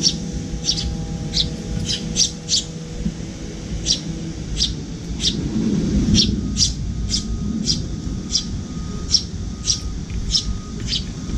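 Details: Fledged Eurasian tree sparrow begging food from a parent at a window feeder, quivering its wings as the adult places food in its open beak; dense series of sharp, high, squeaky chirps, several per second at times, over low background noise.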